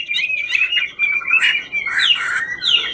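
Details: Chinese hwamei, 'ngũ trường' songbird singing as it dances; slurred whistled phrases, some falling sweeps, with a grainy low background noise behind the bird.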